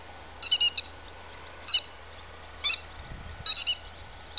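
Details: Grey-headed lapwing calling: sharp, high, metallic double and single notes given in short bursts about once a second, clear against a quiet background with a faint low hum.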